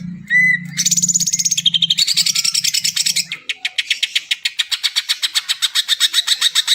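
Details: Song of a greater green leafbird meant to trigger singing in quiet birds: an opening whistled note, then rising rapid trills that settle into evenly spaced sharp chips, with a low hum early on.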